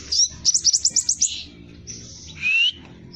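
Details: Scarlet minivet in lively song, sepah raja style with rapid 'roll tembak' bursts, used as a lure for training birds: a fast run of about eight sharp high chips, then a long thin whistle and a rising whistled slur.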